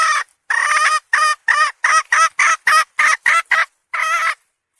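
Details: Series of short, harsh, harmonic clucks from a hen, about ten in under five seconds at slightly uneven spacing, ending in a longer note. The recording is otherwise clean.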